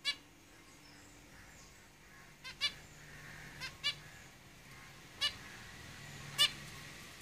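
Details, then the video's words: In a cage, zebra finches utter sharp nasal beeps, some in quick pairs, spaced irregularly across the recording with low hum beneath. "Zebra Finches Singing in the cage"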